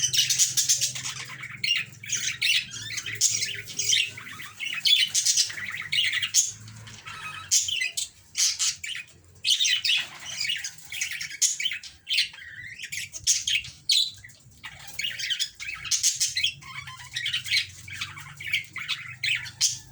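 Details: Budgerigars, possibly during mating, chatter in fast, scratchy bursts of high squawks and chirps, almost without pause.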